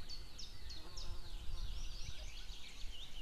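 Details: White-tailed eagle pair calling on 2 May 2016, female with a distant male answering: rapid series of high, sharply bent yelping notes repeated about three times a second, over steady low rumbling background noise.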